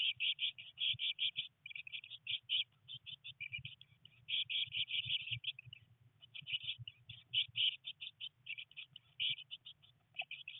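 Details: Eurasian blue tit chicks, three of them, aged 19 days inside a nest box in rainy weather, trying their first flights; near-continuous high, scratchy chirps in quick runs, pausing briefly midway, with a constant low background hum.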